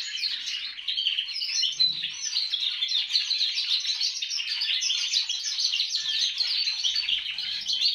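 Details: A canary that grew up beside an exceptional singing male goldfinch and copied its song pours out a fast, unbroken stream of bright, high goldfinch-style twitters and trills, with other caged birds singing alongside.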